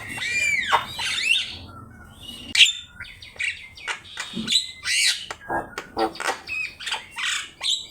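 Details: Javan myna, called jalak kebo, in a lively gacor master song for training other birds to sing: a fast medley of whistled slurs, sharp chirps and harsh buzzy notes, densely packed with rapid clicks near the end.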